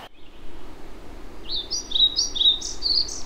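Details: European pied flycatcher song in ancient oak Celtic rainforest, Dyfi Valley, mid Wales, in spring: a quick, sweet, chiming phrase of about eight high notes swinging up and down, under two seconds, over a soft background rush.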